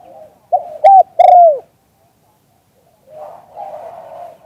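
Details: Spotted dove, "liu tan" cooing recorded live: one clear phrase of a short note, a steady hoot and a long coo curving downward. Softer, distant cooing follows after a pause.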